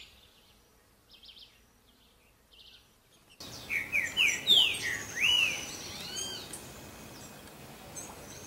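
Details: Green-winged saltator singing while mating: after about three seconds of near silence with faint high chirps, loud whistled phrases of quick downward-slurred notes burst in, then fade into steady outdoor background noise.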